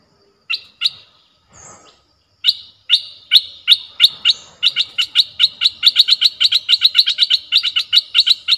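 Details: Streak-eared bulbul sound used as a lure for wild birds: a few sharp chips, then a steady run of bright clipped notes that speeds into rapid chatter.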